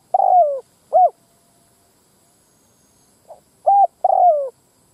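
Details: Cooing from a spotted dove lure call for attracting wild birds of both sexes. It starts partway through a phrase, with a long falling coo and a short coo. After a pause comes a faint pip, a short coo and another long descending coo.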